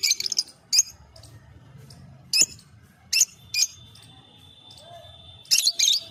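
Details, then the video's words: Lovebird chirping: sharp, harsh high-pitched bursts coming in irregular clusters, some doubled in quick succession, with a steady thin electronic-like tone running through the middle and faint low background hum. "Love bird chirping sound"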